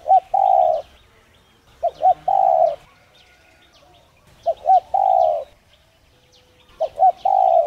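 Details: Spotted dove cooing to stimulate a dove to coo: four repeated phrases, each a short double note followed by one long mellow coo, about every two seconds, small birds chirping faintly.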